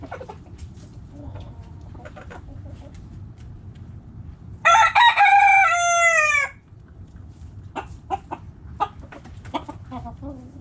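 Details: Backyard chickens: scattered short hen clucks, then a loud rooster crow of nearly two seconds that bends slightly downward at the end, followed by more irregular clucking over a low background rumble.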